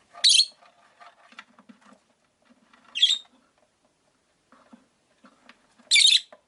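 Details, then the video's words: Five pet rosy-faced lovebirds kept in a window-side cage: three strident squawking chirps spaced about three seconds apart, with soft chatter and clicks in between. "Lovebird Chirping Sounds"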